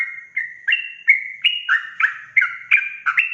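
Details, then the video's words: Sooty-headed bulbul singing energetic 'ropel' song meant to rile other bulbuls: around ten rich, gurgling whistled notes in quick succession, alternating high and low, each with a sharp onset. "Suara Trucukan Ropel Gacor emosi sekali putar semua burung trucuk di bikin panas naik pitam"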